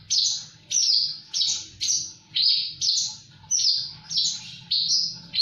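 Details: Rapid repeated phrases from a Javan bush lark singing gacor: high, harsh, falling buzzy notes roughly twice a second, over a low background hum.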